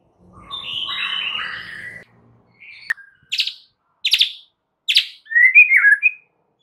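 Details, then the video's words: White-rumped shama singing as a lure to provoke other shamas into responding: a jumbled warble, then several sharp percussive clicks and a short twittering phrase. "dengar PANCINGAN murai Batu ini dengan CEPAT murai anda langsung NYAUT seketika"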